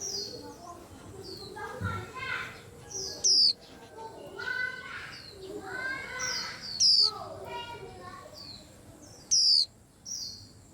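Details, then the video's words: White-eye among a lively crowd of birds: repeated loud, high descending whistles roughly every three seconds over constant busy twittering and chattering from many other birds. "Tiếng Chim Khuyên Làm náo loạn cả giàn"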